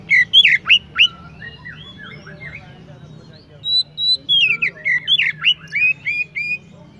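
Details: Oriental magpie-robin delivering bright whistled phrases, loud slurred notes first, then a softer pause, then another run of level whistles and quick downward slurs repeated about three times per second.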